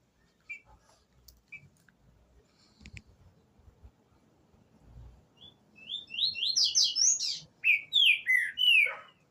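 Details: Green-winged saltator, called trinca-ferro, singing at the start of the season: after a quiet opening with faint clicks, a loud run of rich whistled, slurred phrases begins midway, repeated quickly and climbing into bright overlapping notes.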